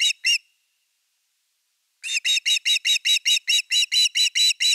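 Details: Osprey at its nest in Finland, 30 August 2021, around an evening fish: two sharp high whistled notes, a pause, then a fast, steady run of about a dozen bright chirping yelps, nothing else audible.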